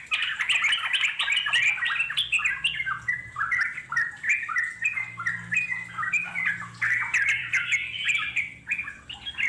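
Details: Yellow-vented bulbul, wild, pouring out a long chattering song to provoke answers from wild birds; continuous jumble of harsh squawky chirps and warbled slurs, with a faint low hum beneath.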